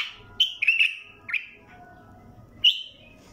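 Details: Mandalawi bulbul giving a few mellow whistled notes: a quick slurred cluster, one short note, then a single bright whistle after a pause, with low background hum.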